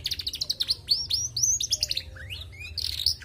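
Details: Female canary in lively song: rapid strings of sharp high chirps and upswept whistles, a lower slurred note midway, then a final burst of bright twittering, over faint low hum.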